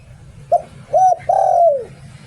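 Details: Spotted dove kept as a decoy bird in Thailand sings a single 'Liu Tan' phrase: a quick coo, a domed hoot, then a long sustained coo that bends downward, over low hum.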